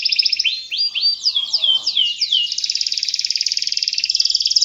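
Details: Vigorous canary song meant to coax young birds. Begins with a fast trill, then broad downward-sweeping whistles, ending in a rapid, evenly repeated rolling trill.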